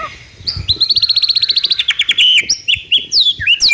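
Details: Lure recording of a White-rumped shama in trotol style, meant to prompt another bird to sing: a fast, even trill of repeated high notes running into loud, varied swooping whistles.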